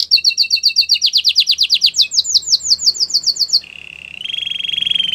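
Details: Singing canary used to train others: quick repeated chirps that speed up and rise in pitch, a run of falling sweeps, then a low buzzing roll.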